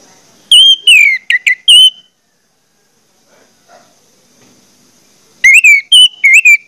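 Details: Orange-headed thrush singing as a lure to get other orange-headed thrushes singing quickly: a phrase of about five loud, clear whistles with rising and falling slurs, a quiet pause of some three seconds, then a similar phrase.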